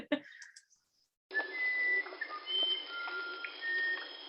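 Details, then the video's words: Musician wren in the Amazon forest, recorded on the Juruá River expedition: a melodic song of clear, pure whistled notes held at different pitches, some rising, spaced irregularly over a few seconds. "We also got musician wren, which is what you're hearing from this really beautiful melodic bird."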